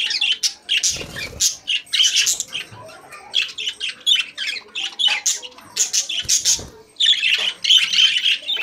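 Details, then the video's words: Caged budgerigars singing: a busy stream of high, scratchy chirps and warbles in short bursts, with a few brief pauses and a louder chattering run near the end. "Beautiful Budgies Singing in Cage | Singing Parakeet in Cage"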